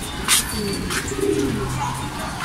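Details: Racing pigeons back from race training flown from Gapan, Nueva Ecija, caught in the rain: low, soft cooing rolls through the middle of the clip over steady rain hiss, with brief sharp clatters and faint background music.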